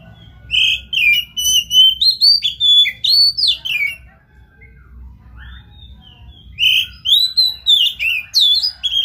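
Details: Oriental magpie-robin pouring out song to encourage a silent magpie-robin: two bursts of fast, varied whistled phrases with slurred notes and sharp ticks, separated by a pause of about two seconds.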